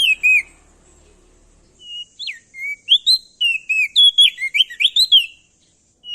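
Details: Male ashy tailorbird from Nusa Tenggara singing loudly as a lure to set other birds singing: a pair of whistles, a long pause, then a rapid series of bright, slurred whistled notes that rise and dip.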